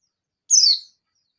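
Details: Single high, thin, downslurred whistle from a local Oriental white-eye singing ngalas style to challenge a rival, brief and clean against silence.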